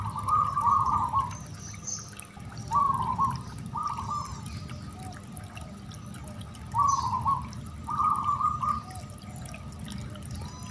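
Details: Zebra dove (perkutut anggunan) song used to test a dove's nerve and prompt it to sing: repeated short bubbling, rolling coo phrases in clusters, with pauses of several seconds, over a low droning background and occasional faint high chirps.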